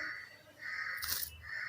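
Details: A pet rose-ringed parakeet talks in a harsh, nasal voice: two drawn-out syllables, then a brief rasping squawk and one more nasal note.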